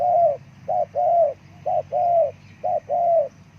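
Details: Spotted dove calling, used to attract forest birds, with repeated paired coos, a brief note then a long slightly falling coo, in a steady rhythm of about one pair per second over faint low hum.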